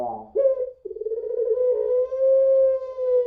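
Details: Puter pelung dove producing a lure song. A rough opening note gives way to a quavering coo that settles into a long, smooth, steady tone held for about two seconds.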